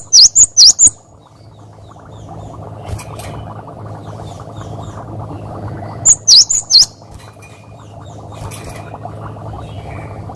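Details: Cinereous tit recorded as a master song for training other birds, 'wucit wucit' style: two quick bursts of four high, piercing, swooping notes, about six seconds apart, with a low steady hum beneath.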